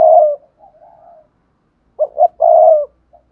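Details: Song of a spotted dove in the Cườm Sa style, a fine bird with a hạp bổi voice: a long coo fading out with soft follow-up notes, then a full phrase of two short hoots and a sustained low coo, little background.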